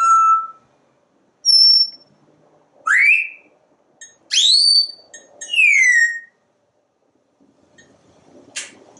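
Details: Pet parrot on a screened back porch, chattering while watching squirrels and birds; a series of loud whistles, some level, some sweeping up or down, separated by pauses, with faint background noise.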